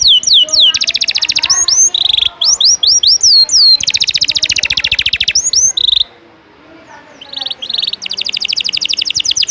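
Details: Canary giving a 'ngejos' song fill used to tutor contest birds: quick descending whistled notes alternate with dense buzzing trills, a short pause near the middle, then the rapid trilling resumes.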